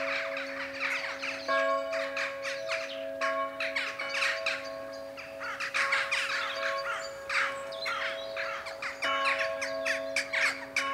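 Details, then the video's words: Evening ritual of jackdaws over Ringenberg, Germany, with the 7 pm bells of the Protestant church ringing: many short, harsh calls in bursts over steady, sustained church-bell tones throughout. "Dohlenritual am Abendhimmel - Jackdaw ritual in the evening sky"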